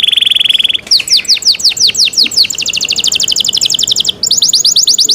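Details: Cenkok-style canary song: a fast even trill, then a run of sharp downward-sweeping whistles, followed by long, rapid, high rattling trills with a brief pause between them.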